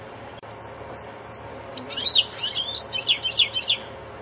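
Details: Hybrid of linnet and canary giving goldfinch song: three short, paired high whistled notes, then a dense, jangling burst of twittering, swooping chirps that carries on to the end.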